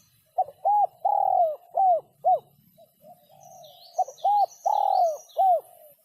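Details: Sấm chuông-style cooing from a spotted dove, aimed at stimulating males, females and young birds: two phrases, each of short coos around one long, falling coo, with a soft low coo between them. Faint high chirping from small birds.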